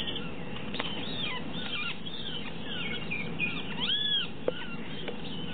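Great Kiskadee giving several shrill, arched, slightly nasal calls, scattered and overlapping, over a steady low rumble of background noise.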